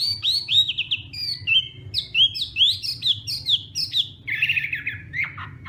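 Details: Hwamei fighting song at morning practice: high, sharply upslurred whistles repeated in quick succession, followed by a denser, lower, buzzier warble.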